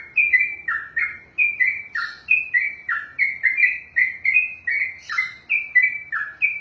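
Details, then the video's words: Caged sooty-headed bulbul delivering ropel, a long unbroken contest-style song: some seventeen bright, bubbly notes, many falling then climbing again, strung together without pause in a clean, quiet setting. "ROPELAN BURUNG TRUCUKAN TERPANJANG DALAM SEJARAH"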